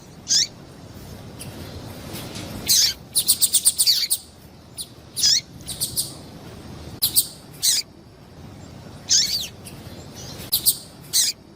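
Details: A female double-collared seedeater gives calls used to excite males: thin, high chirps, some sliding downward, one fast chattering series of about seven notes near the three-second mark, with other chirps spread unevenly over quiet background noise.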